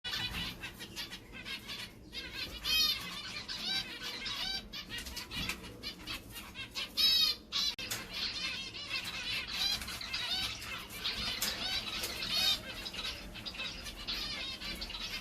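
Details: A green male Gouldian finch, recently paired with a new female, with high, thin chirps and hissing, buzzy notes running almost without pause and frequent bursts of fluttering wings.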